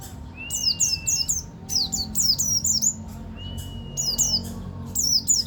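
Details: White-eye of the local Banten buktoni type delivering ngeroll tembak song: twice a long, even whistle leads into rapid groups of bright, falling chirps, repeated in short rolling bursts. A steady electrical hum is faintly present.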